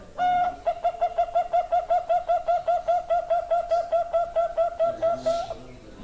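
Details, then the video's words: Sweet-voiced Bangkok zebra dove delivering a long rolling series of mellow coos, quick and even at roughly two and a half per second, ending with a few low murmured notes. "perkutut bangkok suara manis"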